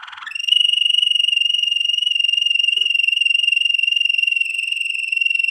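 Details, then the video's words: Waterslager canary song for training, a long steady water-like rolling tone held on one pitch and pulsing rapidly and evenly, with a brief lower scratchy note at the start. "Legendary Waterslager Canary Singing For Training - وتر سلاجر"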